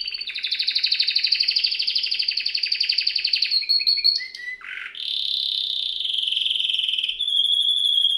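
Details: Canary (Serinus canaria) singing as a training bird: long pulsing trill for several seconds, short stuttering notes and a low dipping slur, then a sustained even trill and a higher steady roll.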